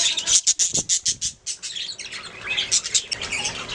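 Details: Budgies making sounds: about eight quick, evenly spaced high chirps open the run, followed by softer, rambling warbled chatter.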